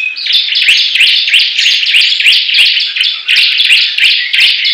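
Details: Bar-winged prinias in a singing contest: rapid high notes repeated about three times a second, overlapping buzzing trills from more than one bird, with crisp clicks throughout.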